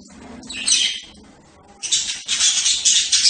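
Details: Budgerigar making harsh, buzzy chattering bursts, a short rough phrase, a pause, then a longer run of rapid scratchy notes.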